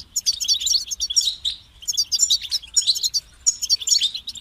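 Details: Kept European goldfinch delivering quick bursts of high, liquid twitters and buzzy trills, roughly thirty-five phrases a minute with irregular pauses between them; faint hum underneath.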